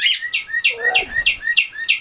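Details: Pet cockatiels kept in West Newton, Pennsylvania, one bird trying to whistle while others join in: rapid, evenly repeated bright chirps about four per second, each a short rising-falling note, with a softer lower whistle beneath.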